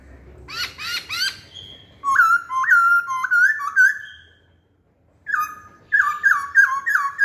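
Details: Masked laughingthrush lure song: three harsh rising squawks, then strong whistled notes in steady repeated phrases. After a brief silence, a fast run of loud looping whistles follows.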